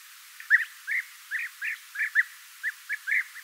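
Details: Series of European bee-eater calls, also known as golden bee-eater: about ten short burry notes in quick succession, roughly three per second, each a brief rolling chirp of similar pitch.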